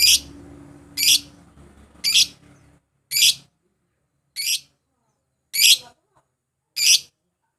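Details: Lovebird calling, used as a lure to provoke rivals and make a bird sing: seven short, harsh, high-pitched shrieks spaced about one second apart, with faint low background hum at the start.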